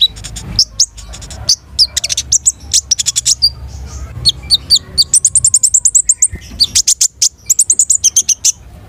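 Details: Busy, almost unbroken chatter from a konin (long-tailed shrike): fast repeated high chirps and whistles running together in long trains, with rich varied song material.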